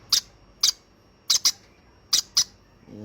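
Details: Baby conure, hand-fed, making sharp high chirps, single and in pairs, spaced by short pauses in a quiet indoor setting.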